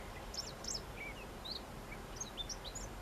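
Siberian rubythroat giving short, thin chirps and twittering notes, high and varied in pitch, scattered over three seconds above a steady background hiss.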